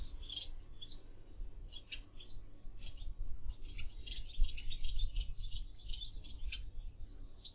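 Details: Gouldian finch in an aviary, giving thin, very high, hissy chirps and twittering phrases in irregular bursts, with soft low rumble and pattering underneath.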